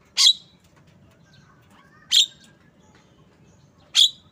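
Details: Three harsh, screechy notes from a Javan myna (jalak kebo), spaced nearly two seconds apart, with faint low chatter and hum between them.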